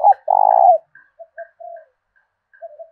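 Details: Decoy spotted dove calling in the prized 'thổ đồng' voice, used to stir up rival doves: a short coo and one long, loud, rolling, quavering coo, followed by faint higher chirps and soft low coos.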